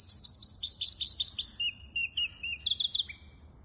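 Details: Hybrid finch, 23 April 2023, sings rapid repeated bright chirps, then thin level whistles and a brief trill, fading at the end.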